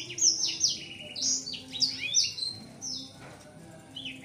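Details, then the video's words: Seven-month-old caged male blacksang, voice not yet matured, displays its wings to a female; scattered high whistled notes and downward slurs with short gaps, fading toward the end. "Blacksang gacor buka sayap"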